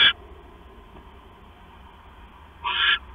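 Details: An owl at night on 6 September 2015, 10:52 PM, the male bringing the female a mouse: one clipped raspy screech at the start, then a long silence, then a second hoarse hissing screech near the end.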